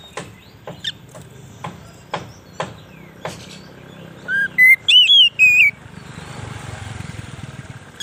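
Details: Oriental magpie-robin, used to lure wild birds in forest: a series of sharp dry clicks, then a short burst of loud, clear whistled notes that sweep up and down, over a faint low hum.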